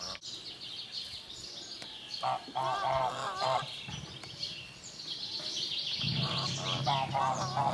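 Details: Geese honking in short nasal, harmonic bursts, one cluster near the start and a longer run of overlapping honks toward the end, over background outdoor noise and a faint high hiss.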